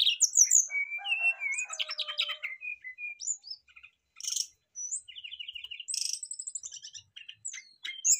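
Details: Brown-chested jungle flycatchers answering each other in full song: a rich, varied song of clear whistles, quick trills and sharp chirping phrases in rapid bursts with short pauses, high-pitched throughout, no other sounds.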